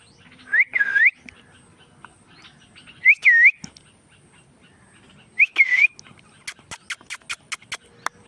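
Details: Whistled, sharply curving notes from an Indian ringneck parrot, given in three short bursts, followed by a run of rapid clicks or taps.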